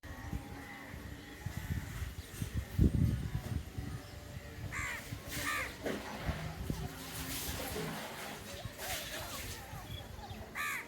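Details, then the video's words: Crows standing on an electricity post line give harsh, hoarse caws in short bursts of one or two, spaced about a second apart, over a steady low rumble of wind or distant traffic. "crows are standing in electricity post line and making sound Caw"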